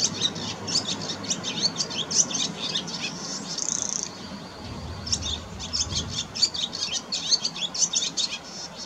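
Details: Wild barn swallow in full song, recorded around mating: busy high twitters and chirps, a drawn-out buzzy rattle in the middle, then the bright chattering resumes, with a soft low rumble underneath.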